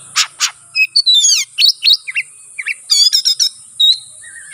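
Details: Oriental magpie-robin singing aggressively to provoke a rival: two harsh notes, then varied swooping whistles and a quick descending trill, over a constant faint high hiss.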